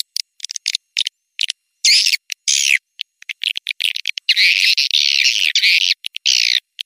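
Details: Swiftlet call recording used to attract swiftlets: dense bursts of high, buzzy twittering chirps, some brief and clipped, others running together into longer chattering stretches.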